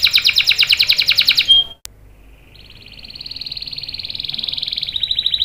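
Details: Canary in lively lure song meant to make other canaries join in: a rapid rolled trill, a short silence, then a soft continuous roll that slowly grows louder.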